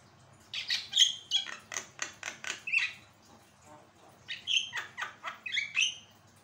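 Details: A Javan myna in full song, meant to train and spur other birds to sing: two busy bursts of clicking rasps and bright whistles, with a short quiet pause between them.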